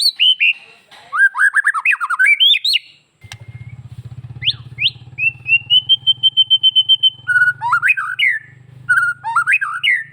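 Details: White-rumped shama from Bali singing to provoke other shamas into answering: rapid bursts of sweeping, slurred whistles and a long sustained whistled note, over a steady low engine rumble through most of the recording.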